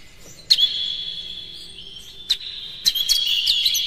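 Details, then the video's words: Magpie-robin lure song used to rouse other kacer into full song and tail-spreading: a sustained high ringing tone broken by sharp chirps, ending with a busier run of bright twittering notes. "Suara PANCINGAN KACER paling gacor KONSLET Buka Ekor bongkar MATERI KERAS PADAT agar KACER emosi"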